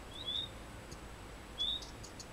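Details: A female common redstart feeding her chicks at the nest in Maggia, Ticino, Switzerland: two thin, high whistled notes, slightly rising, about a second and a half apart, with faint high ticking between them over low hiss.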